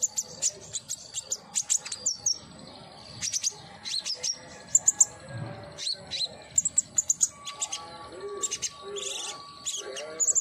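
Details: Common iora singing, played as therapy to prompt a captive bird: dense, lively chirping of high whistled notes and quick trills in rapid clusters, with lower warbling sounds entering toward the end.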